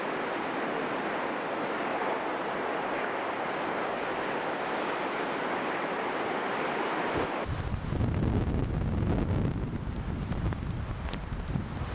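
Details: Steady wind hiss gives way partway through to a louder, low, rumbling roar, with no animal voices.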